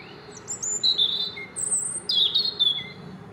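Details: European robin singing in Île-de-France, France, in 2024: a clear run of high, thin whistled phrases, some sustained, some sliding downward, in rapid varied bursts with brief gaps, and faint low hum behind.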